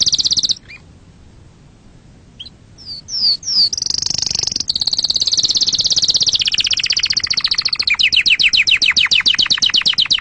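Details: Canary song meant for tutoring chicks and for breeding: a brief high phrase, a pause, rising slurred notes, then a long, loud, very fast trill that slowly drops in pitch and spreads into rolling chirps.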